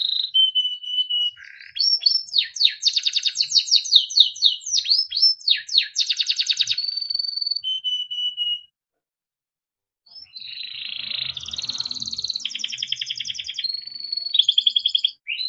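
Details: Timbrado canary, a small yellow bird, singing melodic songs used for training: fast rolling trills, swooping slurred notes and held whistles, a pause of about a second midway, then more buzzy rattles and clear tones.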